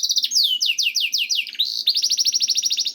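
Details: Canary song for prompting canaries to sing: a series of bright falling whistles about six per second, a short harsh note, then a dense fast trill.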